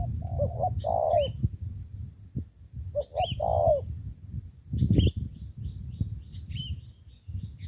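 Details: Spotted dove decoy bird from Ca Mau, Vietnam, used in ground decoy fighting: two loud coo phrases ending in a drawn-out note, with thin high chirps from other birds and low rumbling noise.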